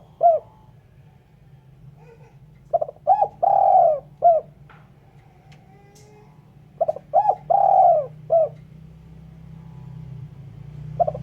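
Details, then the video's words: Clean spotted dove cooing for bird luring: two full phrases of quick stammered notes, a long smooth coo and a short tail note about four seconds apart, with the low background hum growing louder toward the end. "Suara Burung Terkukur/Derkuku bersih cocok untuk PIKAt."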